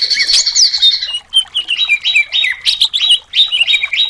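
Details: Greater green leafbird of the cucak cungkok kind, a competition songbird, giving a varied, excited song: bright slurred whistles and chips in rapid bursts, roughly several notes a second, with brief pauses between runs.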